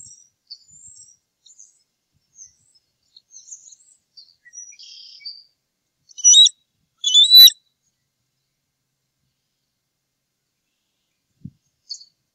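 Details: Eagles at their Upper Mississippi River Refuge nest in early April, two adult males finishing leftovers once the eaglets have been fed; soft scattered chips lead to two loud, sharp, high shrieks, then quiet.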